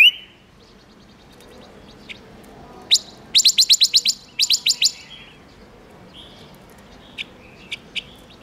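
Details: Silver-eared mesia lure song meant to attract wild birds: a brief whistled note, then rapid series of sharp high chips in two bursts, followed by scattered quieter whistles and single clicks.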